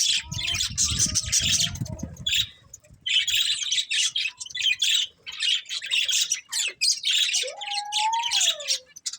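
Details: Budgies chatter in rapid, grating high twitters broken by brief pauses, with a clear whistled note that rises and then falls near the end and low rustling early on.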